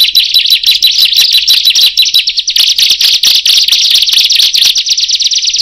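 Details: Bar-winged prinia with others joining its calling: a thick, continuous chorus of shrill, rapid high chirps blending into a near-constant buzzy chatter, individual notes overlapping heavily.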